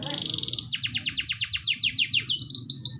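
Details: Canary song, beginning with a fast buzzing trill that turns into a rapid run of descending swept notes, ending in quick high chirps.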